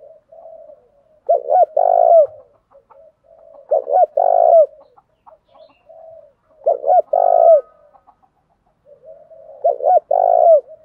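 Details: Spotted dove kept as a fighting decoy, cooing to provoke wild doves. Repeated deep phrases: two brief clipped notes, then a long mellow coo falling at the end, four times, with soft low warbles between.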